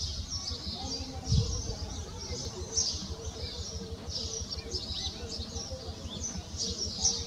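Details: Iberian magpie (Cyanopica cooki) fledglings on the ground give high, thin, hissing begging or distress calls in repeated bursts every second or two as adults come to help, over low rumbling wind noise.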